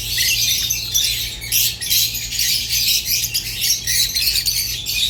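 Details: Caged rosy-faced and Fischer's lovebirds in song: continuous raspy, high-pitched twittering and squawks in rapid bursts, briefly easing now and then before resuming.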